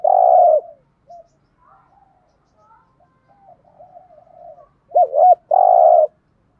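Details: Spotted dove giving deep, hoarse coos, a loud opening coo, soft murmured notes, then a quick doubled coo and a long final one; the coos are used to stimulate decoy doves to respond and coo back.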